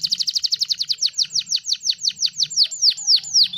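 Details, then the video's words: Canary song played as a master recording for training songbirds: a rapid trill of repeated downward-sweeping whistled notes that slow gradually over nearly four seconds, each note becoming longer and more drawn out, with a faint low hum beneath. "MASTERAN KENARI GACOR UNTUK BURUNG KICAUAN"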